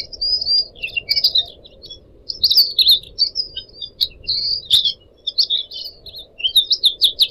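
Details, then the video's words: Kept Pied Triller (decu kembang) song over the sound of trickling water: a busy, high chattering of quick twitters and short trills with sharp clicks, over a steady low hiss. "kicau burung decu kembang"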